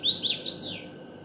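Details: Common waxbill singing. A short high phrase of three quick notes, the first rising and the others arching, then a soft fading trail.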